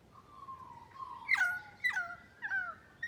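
A currawong gives ringing whistled notes that slide downward, each starting with a sharp clipped edge, about four in three seconds over a quiet background.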